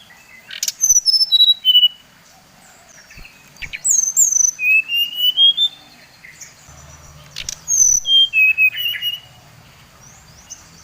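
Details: Provoking song of a Bali brown-chested jungle flycatcher: three separate descending whistled runs of quick notes. One run slides upward at the end, with faint low hum midway.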